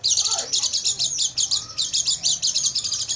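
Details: Night-time Oriental white-eye song used as training material for caged birds, a continuous stream of very high, quick chirps at about ten notes per second, with faint lower sliding notes in the background.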